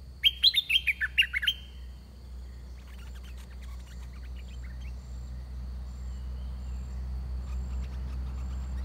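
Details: Caged decoy red-whiskered bulbul luring wild birds, with a large, big-crested wild bird arriving quickly: a loud, rich phrase of fluty, warbled notes for about one second, then faint distant chirps over a steady low hum.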